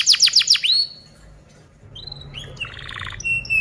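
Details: Canary song used as a tutoring recording for other birds: a fast run of four or five downward-sweeping notes, then a pause and varied whistled tones and trilled phrases, high-pitched and clear.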